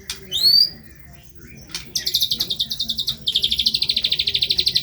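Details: White-rumped shama (murai batu) in steady song with rough material: a loud rising whistle, then long, very high, rapid rattling trills repeated in fast pulses.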